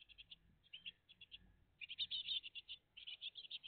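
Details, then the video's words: Great tit family at the nest on 20 June 2023, early morning live recording: rapid bursts of high, buzzy chirps in short rows, growing denser and louder midway, with faint low rumble underneath. "GREAT TIT FAMILY LIVE"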